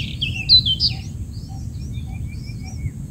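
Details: Black-headed bulbul chicks in the nest being fed by a parent: a few loud, warbling high chirps at the start, then a run of faint, thin, quick tweets over a steady low background hum.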